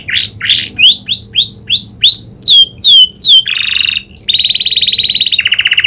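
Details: Canary trained to copy the prinia's clicks sings rising then falling whistled notes about three per second, followed by a harsh rattle and a long fast high trill.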